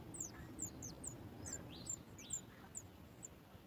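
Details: Sooty chat baby in its nest reacting to its mother bringing food: rapid, very high-pitched thin chirps mixed with a few lower downward-sweeping squeaks, over a soft low rumble.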